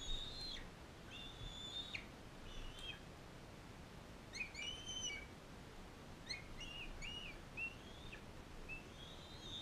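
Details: In a care facility, a non-releasable adult female bald eagle fosters a bald eaglet from Powell River. Clusters of high, thin whistles with sharp downward ends and stuttering chips come in groups with short pauses between them, over low background noise.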